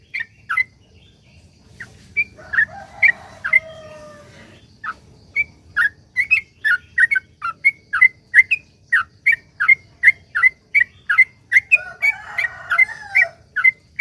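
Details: Long continuous sooty-headed bulbul song meant to draw other bulbuls into singing: rapid series of short bright whistled notes, about three per second, with a few lower sliding whistles mixed in.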